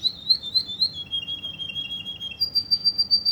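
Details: Russian canary from Kuwait singing rapid high trills. Wavering pulsed notes slide gently downward, then switch to a sharp, higher, evenly repeated tinkling note about four times a second.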